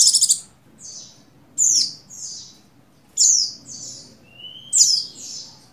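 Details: Buxtoni Oriental white-eye female in breeding condition calls to attract a male. Shrill downslurred chirps come in pairs about every one and a half seconds, with one thin, steady whistle near the end.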